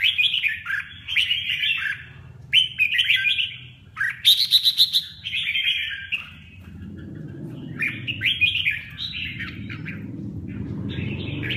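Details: Red-whiskered bulbul singing lively warbled phrases. A low rumbling background noise rises during the second half.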